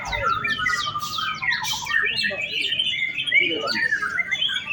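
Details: Caged white-rumped shama in afternoon contest practice on the hanging poles, pouring out a rich medley of sweeping whistles and quick chattering notes, while a person speaks over it.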